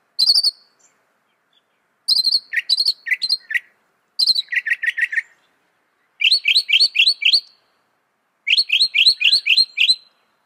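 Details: Mockingbird song in five bursts, each a run of rapidly repeated notes; phrases switch between higher chips and lower, buzzier notes, roughly two seconds apart, with no background noise.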